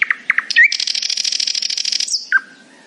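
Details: Brief nightingale phrase from a morning performance: a few low chucks, then a long rapid buzzing rattle, ending in a sliding whistle.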